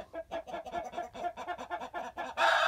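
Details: Roosters raise an alarm the moment an owl lands nearby. One gives a rapid run of harsh clucking notes, about five or six a second, ending in a burst of rustling noise.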